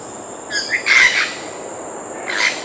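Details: Grey parrot (Psittacus erithacus): short harsh bursts with rich overtones and brief whistled notes near the middle and end of the clip, over a steady high-pitched background hiss.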